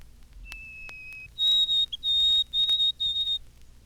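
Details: White-throated Sparrow at the end of the spring morning chorus sings a pure, high whistled song: one long steady note, then higher repeated short whistles, 'Poor Sam, Peabody, Peabody, Peabody.'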